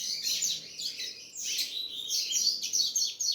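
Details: Double-collared seedeater singing a rapid, dense run of high chirps and twittering trills, notes sweeping up and down in quick bursts with brief dips between phrases.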